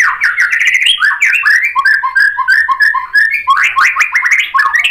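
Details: Energetic white-rumped shama song, given as a fighter bird provoked by a rival: a fast, continuous stream of rolling, warbled whistles and trills sliding up and down, with a sharp, rapid burst of notes near the end.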